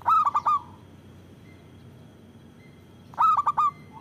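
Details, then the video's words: Cooing of a local zebra dove, meant for luring and prompting other doves to call: two short phrases about three seconds apart, each a fast stuttering run of four or five soft notes. A faint hum fills the background. "Perkutut lokal gacor Suara Besar Bagus Untuk Pikat dan Pancingan"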